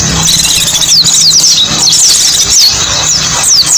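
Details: Mountain white-eye singing as a lure for small birds: quick, high, squeaky chirps sweeping downward in rapid succession, forming an unbroken twitter over a low droning hum.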